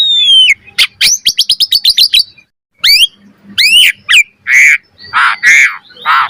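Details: Asian pied starling, a master song for training birds: a descending whistle, a fast stuttering series of sharp notes, upswept whistles, then a run of harsh grating calls.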